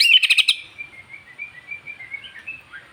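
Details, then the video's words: Long-tailed white-rumped shama used to stir other shamas: a quick burst of sharp high chips, then a soft, thin warbling trill fading away. "MENINGKATKAN EMOSI BURUNG MURAI Dengan Suara murai batu ekor panjang"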